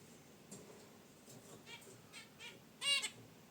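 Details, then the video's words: A few soft nasal chirps from caged zebra finches at their wicker basket nest lead to one louder, ringing honk near the close. "Zebra Finches in Their Cage: Natural Chirps & Sounds"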